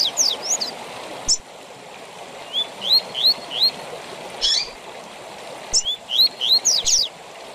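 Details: Tui tui zel zel song of a double-collared seedeater, a style for training captive birds: clusters of sharp rising whistles and quick high slurs, three phrases in the clip, with constant running water behind.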